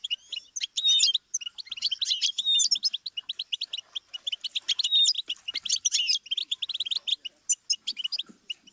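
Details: Goldfinch song for song learning: rapid twittering phrases of sharp chirps and short whistled slurs, almost continuous throughout.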